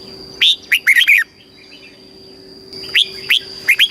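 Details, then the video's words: Thai caged red-whiskered bulbul giving southern master-style song for training chicks and rousing birds. A rapid phrase of five clear whistled notes, a pause, then a similar phrase begins. A steady tonal hum runs throughout. "เสียงนกกรงหัวจุก สำหรับต่อ หรือ เปิดให้นกคึก"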